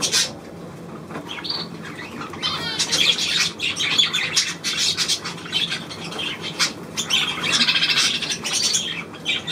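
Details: Chattering budgerigars, recorded 9 February 2024; quieter opening, then a short rising whistle and a buzzy rattling phrase give way to busy overlapping squawks and chirps.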